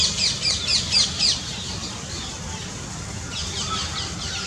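A young Indian scops owl gives rapid, high, raspy chirps, about four a second, then fainter ones after a pause, over a low rumble.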